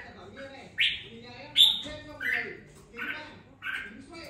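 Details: Captive red-whiskered bulbul, hand-raised for two weeks, starting to sing with some fire: five short, bright chirped notes about every 0.7 seconds, each a quick warbled burst, over faint low background murmur.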